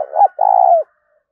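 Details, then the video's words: Single cooing phrase from a spotted dove, played to attract wild doves: a short rising-falling note, a brief gap, then a long throaty purr that tails off downward before silence. "tiếng cu gáy kích bổi vang cả cánh đồng dùng kích bổi nhanh về cội"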